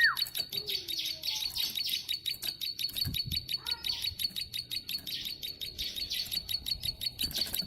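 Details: Plain prinia, a tame bird singing vigorously in long bursts: rapid, dry, ticking chirps repeated about three times a second with a steady high metallic ring throughout, plus a few faint lower slurred whistles.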